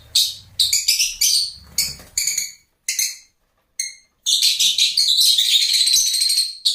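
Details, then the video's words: Lovebird giving sharp, shrill harmonic chirps in short separate bursts with brief silences, then a continuous high chattering run near the end. "Love Birds Nature Sound"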